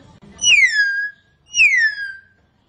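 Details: Hill myna singing actively: a pair of strong descending whistles, each starting high and gliding down into a drawn-out lower tone, separated by a short pause; otherwise near silence with slight low noise early on.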